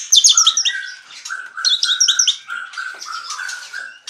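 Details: Asian pied starling kept as a songbird, singing vigorously in the 'ngaruda' style: clustered high chattering notes over repeated mid-pitched whistles, in bursts of about one second with short pauses between them.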